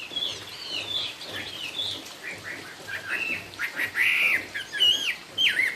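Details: A hwamei ('cao cầu' singing) delivers varied whistled phrases, some slurred and wavering, others sharp and rising, growing louder toward the end with short gaps between bursts.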